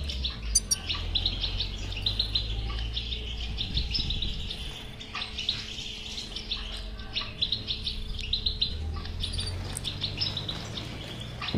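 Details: European goldfinch song used to make a mute goldfinch start singing: a continuous stream of fast chattering twitters and sharp high notes throughout, with a faint electrical hum and low rumble beneath.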